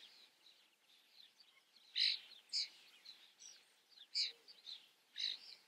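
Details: Common starling in view: several short harsh chirps and whistled notes, bright and high, scattered irregularly about once every two seconds over a faint background of softer chatter.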